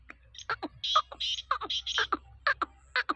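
Black francolin giving a rapid run of harsh, grating, creaky notes, about two per second, loud and rasping in a close, dry setting.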